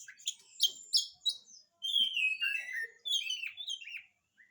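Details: Energetic oriental magpie-robin song meant to coax quiet magpie-robins into singing: sharp high chips, then a run of descending slurred whistles and varied phrases, ending on a brief rising whistle.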